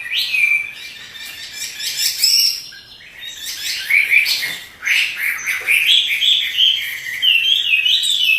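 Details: Pet Chinese hwamei in full song while dancing: varied whistled phrases and rapid chatter, a brief pause near the third second, then rich slurred notes climbing and dipping in quick succession.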